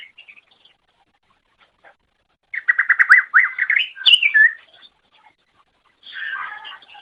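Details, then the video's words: Cucak ijo, the greater green leafbird, sings a long masteran recording for training songbirds. Near silence gives way to a dense, fast string of looping whistles, a sharp high note, then a softer scratchy phrase. "Ocehan Suara Burung Cucak Ijo"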